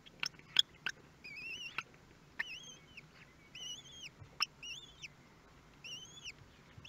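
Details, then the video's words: Common kestrel nestlings at their first feeding in a nest followed by webcam at Théding, France, on 23 May 2022: thin, arched, whistled calls with upper harmonics, given in a repeated series about once a second, with sharp clicks and taps between them. "1er repas des nouveau-nés"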